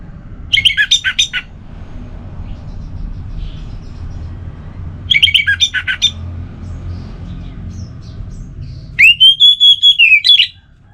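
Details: Relaxed orange-headed thrush song in three bursts: two quick runs of chirping notes about four seconds apart, then a sustained series of rapid, clear whistled notes on one level that ends abruptly.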